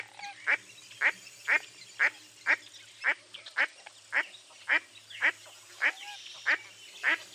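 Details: Mottled duck, a dabbling duck of eastern North America, giving a steady run of harsh nasal quacks, about two per second, each note sliding downward, with faint low background hum.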